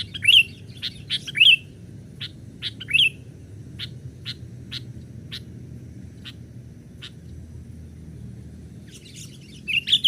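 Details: Young sooty-headed bulbul call played to lure wild birds: sharp rising-falling chirps in small clusters, with short clicking ticks spaced through the middle and a steady low hum underneath.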